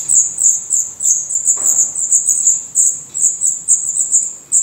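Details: Black redstart nestlings begging in their nest in Portugal, eyes now open and true feathers growing: a near-continuous chorus of very high, thin, hissing notes, three or more per second.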